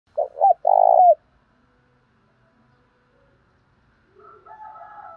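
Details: Spotted dove cooing in the 'thổ pha' voice style, used to provoke other doves: two short low notes then a long rolling coo that drops at the end, followed by silence and faint softer calls.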